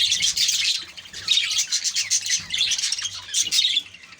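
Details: Group of caged budgerigars twittering in short lively bursts of squeaky, warbled chirps, the chorus easing off in the final second.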